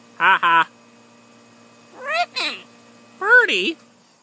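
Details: Female blue-and-yellow macaw, a pet perched on a shoulder, talks in three short bursts of harmonic, speech-like vocalizing, the first a paired hoarse note, the last two wavering and rising-falling, over a low mains hum.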